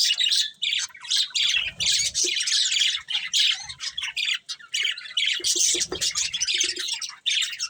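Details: Pet budgerigars, a breeding pair, keep up harsh squawks and rapid high chirps in quick bursts, hardly pausing, with faint low bumps beneath.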